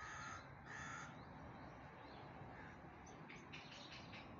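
A peafowl gives two loud, harsh, nasal calls, each about half a second long, in quick succession over a steady hiss of background noise.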